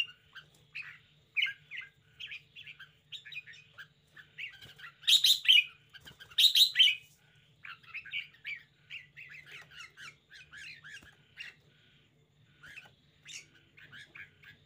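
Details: Lively caged red-whiskered bulbul: repeated short chirped and warbled phrases across the recording, two loud bright bursts around five and six and a half seconds, with a steady low hum behind.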